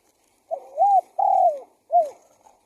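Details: Single full phrase from a spotted dove used to draw in wild doves: a wavering rising coo, a long falling coo, then a short final coo that dips away, mellow and clear.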